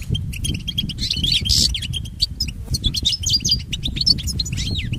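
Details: For training pet goldfinches, a European goldfinch delivers fast, sparkling chirps and twittered trills in quick strings, with a few short pauses, over steady low background noise.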